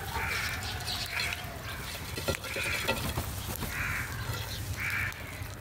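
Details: Crows gathering at food in the morning, with five or six rough, nasal caws at irregular intervals, several overlapping, amid clicking and rustling noises and a low hum.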